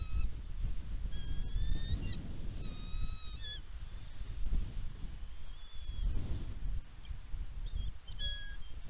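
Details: Catalina Island, California, USA, West End bald eagle nest, 29 March 2022, nest cam during fish and bird deliveries. High whistled and squeaky notes appear in a few groups, partly masked by heavy wind rumble.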